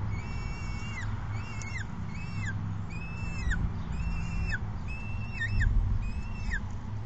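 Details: Demanding young peregrine falcon screaming for food from its parent at the perch, May 2016: repeated whining screams, each drawn out then dropping sharply at the end, roughly one per second, against a steady low hum.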